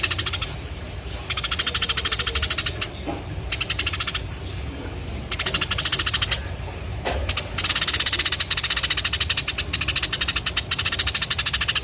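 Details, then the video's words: Sparrows calling in bursts of rapid, harsh chirps, several seconds long, separated by short silences, the series growing denser toward the end. "The sound of sparrows/Burung Gereja Gacor"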